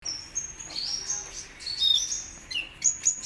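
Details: Kolibri ninja sunbird singing actively, a bird being readied for competition; high thin whistled notes and short sliding chirps, some rising, scattered over three seconds with faint background hiss.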